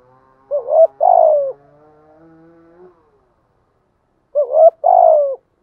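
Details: Decoy spotted dove cooing, used to lure wild doves for trapping: two loud, low, mellow coo phrases, each a short wavering note followed by a longer, slightly falling purring coo, separated by about three seconds of silence.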